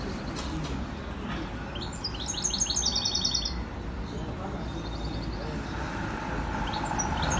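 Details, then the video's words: European goldfinch singing, linked to Skikda: a quick burst of high, twittering repeated notes lasting just over a second, followed by a few scattered chirps, all over a constant low rumble like distant traffic. "Chant chardonneret"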